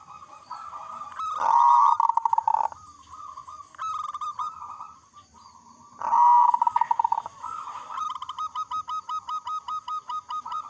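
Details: Strong-voiced local zebra dove song meant to spur other zebra doves to sing. Two loud stuttering outbursts are each followed by a long, rhythmic rattle of short cooing pulses, ending in a steady, quick series.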